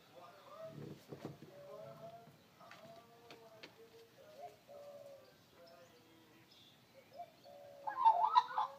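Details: Three Australian magpies singing in the morning carol in mellow, flute-like warbles with gliding notes, rising to a louder, richer burst of song near the end.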